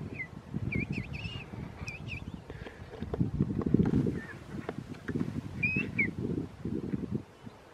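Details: Begging calls of a young king penguin being fed, recorded at a penguin park: short whistled chirps in quick clusters early on, then a few more, against heavy low rushing noise.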